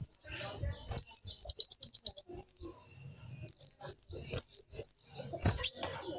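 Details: Kolibri wulung sunbird lure song: a sharp high note, then a quick rattling trill, a pause, and several bright looping whistled slurs, with soft low background noise and a few clicks.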